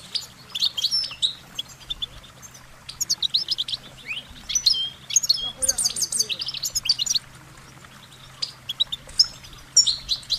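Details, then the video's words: A goldfinch sings a bright, tinkling twitter of quick high notes in bursts, with brief pauses, over a faint steady low hum. "Goldfinch Singing their Song"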